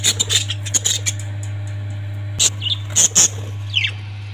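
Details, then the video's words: Sharp, shrill parrot squawks and clicks come in quick bursts, with a short descending squeal near the end, over a low constant hum. "Parrots 🐦 Sound"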